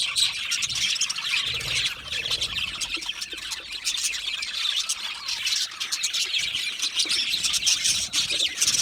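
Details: Dense chatter from a group of budgerigars in an aviary: high, buzzy chirps and warbling notes overlapping without a break.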